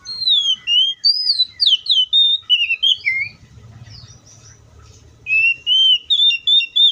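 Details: Oriental magpie-robin heard in the wild, pouring out quick looping whistles and slurred notes about three per second, falling quiet briefly amid low rumble, then resuming with bright, level whistled phrases.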